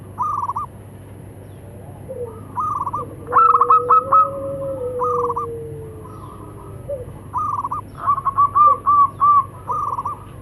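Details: Male and female local zebra doves calling back and forth; repeated short burbling coo bursts, a loud stuttered trill around four seconds, a long low whistle-like tone, and more pulsed phrases near the end.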